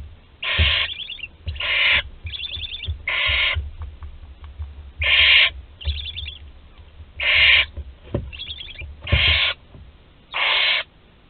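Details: Sole remaining barn owl chick in a nest at Théding, recorded 26 July 2020 on a webcam: a long series of rough, wheezing hisses about a second apart, with soft rapid ticking chatter between several of them and occasional thumps.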